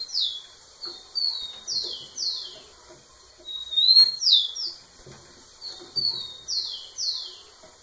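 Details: Rufous-collared sparrow male singing hard at a female; three repeated phrases of high whistled notes sliding downward, each phrase about two seconds, with light background clicks.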